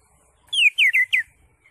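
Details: Greater green leafbird, known locally as cucak hijau, singing in the ngentrok style: four loud slurred whistled notes, the first dropping and the rest short and falling, given in quick succession in a quiet setting.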